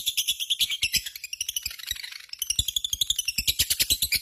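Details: Lovebird chattering ngekek: busy, raspy, high-pitched notes in quick succession, slightly uneven, dipping briefly in the middle before rising again into a strong run.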